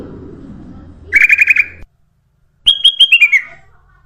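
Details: Sooty-headed bulbul song used as a lure to attract other birds: two short bursts of bright, rapidly repeated looping notes, the first lower and the second higher, falling in pitch, separated by a silent pause.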